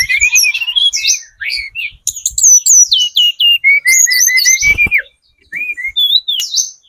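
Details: Sunda robin, spotted form, sung as a lure for other birds: rising whistled glides, then a series of repeated falling whistles and a steady row of short even notes, a pause, more whistles.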